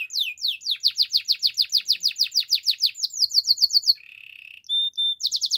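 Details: Belgian canary singing in the morning: a fast run of sharp downward-slurred notes, about seven per second, then a brief low buzzy roll, two clear whistled notes and a fresh burst of quick slurs.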